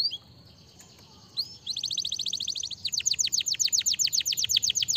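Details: Canary song used to encourage other canaries to sing: a quiet thin whistle, then a rapid run of short descending notes and a louder, slower series of sweeping trills repeated about four times a second.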